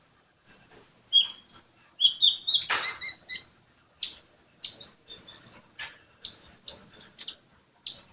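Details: Sunbird uttering sharp, very high chips and downslurred whistled notes in short separate bursts, some spaced about half a second apart, against near silence.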